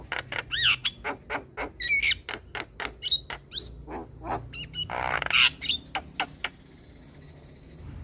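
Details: Javan myna song, played to make stressed mynas that will not sing respond at once: rapid dry clicks and harsh squawks interspersed with short rising and falling whistles, a burst of rasping noise midway, then quieter.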